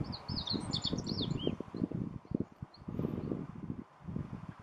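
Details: Meadow bunting song in Miho Citizens' Forest: a brief rapid phrase of high slurred notes ending in a downward note, then low rumbling noise and a faint distant chirp.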